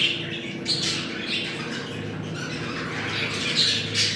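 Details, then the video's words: Pet budgerigars in mating chatter, rapid gritty squawks mixed with brief high whistles, over a constant low electrical hum. "Muhabbet kuşu kızıştırma sesi. Muhabbet kuşu çiftleşme sesi"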